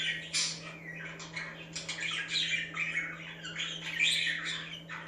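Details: Continuous budgie warbling and chirping to make other budgies active, a dense stream of squeaky, buzzy, rasping notes with barely any pause, a low hum underneath.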